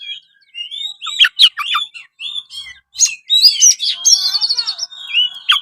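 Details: Gacor-style kacer, the oriental magpie-robin, pours out a varied song of sharp chirps, downslurred whistles and a long buzzy rattling phrase near the end, with brief silent gaps between bursts.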